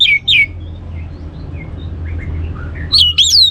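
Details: Orange-headed thrush used to prompt other birds to sing: two quick whistled down-slurs at the start, soft scattered chirps over a low hum, then rising and falling looping whistles at the end.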